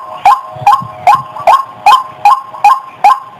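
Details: Female white-breasted waterhen, whose call is used to lure birds for trapping: eight strong, hoarse notes, each rising slightly at its start, repeated evenly at about two and a half per second.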